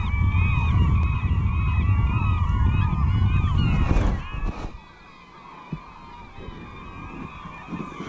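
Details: Many seagulls calling together at Pointe Holmes: a dense chorus of harsh, arching, harmonic cries that overlap continuously for four seconds, then fade. Heavy wind rumble sits underneath throughout.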